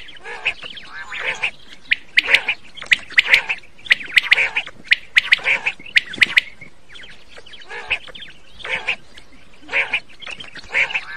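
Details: Quail sounds for night hunting: rough, buzzy calls and quick clicking notes repeated steadily over eleven seconds, set against a constant low hiss of background noise.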